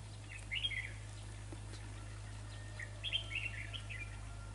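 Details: During decoy trapping, a red-whiskered bulbul gives two short chirpy bursts of rapid, slurred notes about two and a half seconds apart, over a constant low electrical hum.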